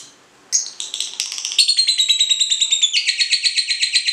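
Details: Ngekek singing of a cinderella lovebird, played to get other lovebirds singing: after half a second of quiet, a rush of high rapid chirps begins, settling into a steady buzzy chatter that steps slightly higher near the end.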